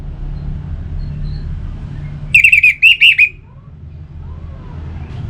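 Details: Orange-headed thrush phrase for prompting caged birds to sing: a quick run of about five sharp, bright chirped notes, evenly pitched, then quiet with a low background rumble.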